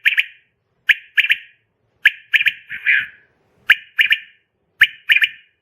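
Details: A female quail, recorded for quail hunting and trapping, gives sharp, high chipping notes in quick pairs and triplets, each group about a second apart, against a quiet background.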